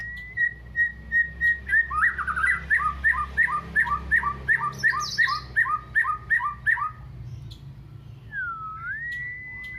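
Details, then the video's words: White-rumped shama singing with canary-style phrases: a long steady whistle, then a rapid two-note whistled figure repeated about a dozen times, ending in a clear whistled slide that dips and rises, over a low background hum. "MURAI BATU ISIAN KENARI"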